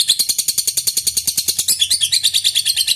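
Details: Lovebird ngekek bout used to spur rival birds into singing: quick, even series of high, harsh chattering pulses, continuous throughout.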